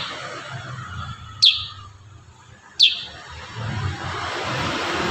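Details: Kurincang in a tutor recording of the dense-burst style: two sharp, high, downward-sliding whistled notes about one and a half seconds apart over a steady low hiss.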